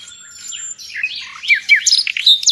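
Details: Brief burst of nightingale song, prized in Indonesia as a tutor for pet songbirds: a thin sustained whistle, then quick rising and falling slurs ending in loud, sharp chipping notes.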